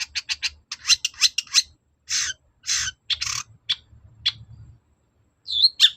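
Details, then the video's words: Long-tailed shrike song played as a lure to draw replies: quick dry ticking notes, then broad harsh rasps spaced about half a second apart, ending in a pair of thin whistled notes. "BURUNG CENDET GACOR NGOTOT || pancingan cendet agar nyaut gacor"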